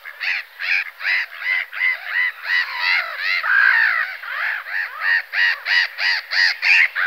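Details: Black-headed gull giving a steady series of harsh, rasping, slightly nasal calls, about three per second, with strong bands mid-pitch and some longer, drawn-out notes near the middle; clean background with no other sounds.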